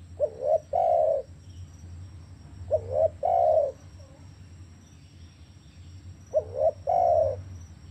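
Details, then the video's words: Spotted dove, played to encourage silent captive doves: three evenly spaced phrases, each a short double coo and then a longer sustained coo, with a low droning hum. "ATASI MACET BUNYI DERKUKU/TEKUKUR IDAMAN ANDA"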